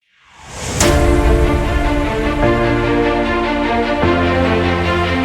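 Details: Loud music with sustained chords and a swelling sound effect fading in at the start.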